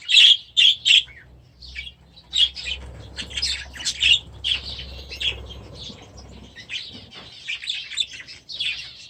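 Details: Grown-up baby budgerigars settling into their new aviary give a few loud, sharp chirps at the start, then softer scattered squawks and chatter over a low background hum.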